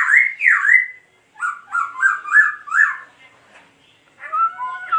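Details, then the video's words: Laughingthrush song during a dance display: a couple of swooping whistles, a stepped series of five rising notes, then softer warbled whistles after a short pause. "Khướu Muá Hót Như Thế Này Đạt Chưa Anh Em"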